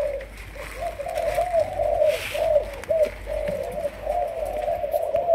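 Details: Spotted dove from Malaysia, a young decoy-in-training, coos in rapid rolling notes, about two per second, with brief breaks between phrases and faint background noise.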